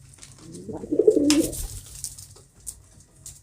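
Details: A pet pigeon gives a single short, low, burbling coo near the middle, with soft rustling and a sharp click around it.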